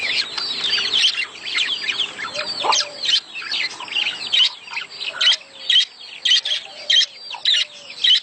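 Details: Budgerigars warbling in a mating-stimulation recording: scratchy chatter giving way to regular sharp chirps about every half second, with a low background hum.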